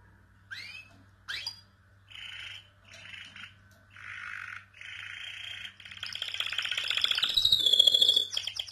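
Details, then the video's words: Canary in continuous song: two rising whistled sweeps, then a string of buzzy rasping phrases, ending in a loud, rapid, even trill of clicking notes, over a faint low hum. "Canary Bird | three minutes continues singing"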